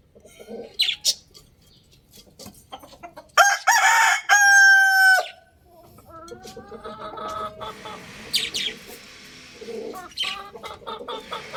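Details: Scattered chirps and soft clucks give way midway to a young rooster's loud crow, one of two birds crowing, held strong and harmonic for about two seconds before falling away. Gentle clucking and high chirping follow.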